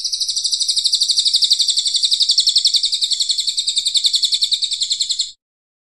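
A brown cililin sings a fast, even, high-pitched chattering trill, about four notes a second, held for over five seconds before stopping abruptly.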